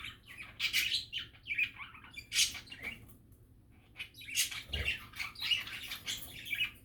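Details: Budgerigar chatter, described as happy and relaxing: busy scratchy warbles and squeaky chirps in bursts, with short quiet gaps between lively flurries and a soft low hum underneath.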